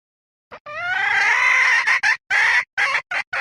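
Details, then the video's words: Hen cackle: one long, drawn-out, nasal squawk that rises slightly, followed by several short, harsh clucks in quick succession. "poj qaib seev"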